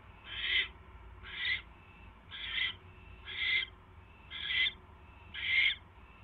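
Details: Owl at night on 24 January 2016 during a mouse delivery from the male to his mate; six rough, wheezy screech notes spaced about a second apart.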